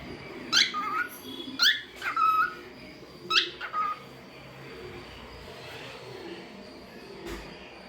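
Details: Pet cockatiel kept indoors, singing and making different sounds: three bursts of sharp rising whistles with short falling notes, spaced over the first four seconds, then quiet room hiss with a faint late click.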